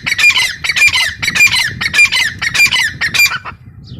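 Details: A female grey francolin gives a rapid, harsh, squawking series, with grating notes tumbling out about six to seven in four seconds before trailing off into quiet.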